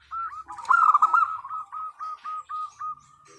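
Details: Female zebra dove calling to the male: a rolling trill of cooing notes that slows into separate short coos, about four per second, each dropping at the end.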